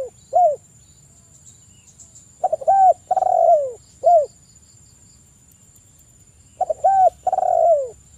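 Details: Spotted dove cooing, played as a morning and evening lure to stimulate other doves to sing; mellow phrases of short notes, a long falling rolled coo and a brief final coo, repeated every few seconds with quiet gaps between.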